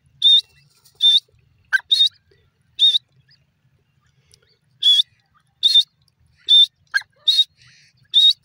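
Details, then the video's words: Grey francolin (dasi teetar) calling with short, piercing, high-pitched notes given in loose, uneven bursts, sometimes paired, separated by brief silences, plus a couple of lower squawks. "dasi teeter ki awaz, grey francolini calling"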